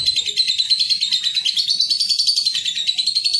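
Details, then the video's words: Trill of a young lovebird, a training recording used to coax young birds into frequent singing and long ngekek trills: sustained, piercing, fast-pulsed chatter, steady and high, gently rising in pitch toward the end, with soft low background murmur. "TERAPI LOVEBIRD PAUD | CEPAT GACOR"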